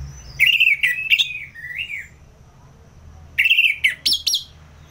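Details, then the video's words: Orange-headed thrush singing in ngeplong style: two bursts of clear, wavering whistled phrases with slurred notes, the second burst ending in sharp, high notes. A quiet gap of about a second and a half separates them, over a low background hum. "ANIS MERAH Ngeplong"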